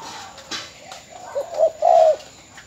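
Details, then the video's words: Bến Tre spotted dove kept as a mồi mỏ công decoy, later sold, gives one coo phrase: two quick short notes rising into a longer sustained hoot, after a brief noisy rustle at the start. "Cu gáy bến tre"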